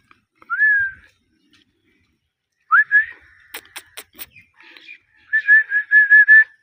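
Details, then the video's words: Indian ringneck parakeets kept as a pet pair: single rising whistles, sharp clicks, then a fast run of about six repeated chirps. "Jora parrot chirping sound || Ringneck parrot compilation"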